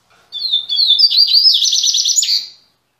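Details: One strong song phrase from a caged double-collared seedeater (coleiro) back in song after three months: clear gliding whistles lead into a quick, rhythmic trill of repeated high notes, ending with a short upward note.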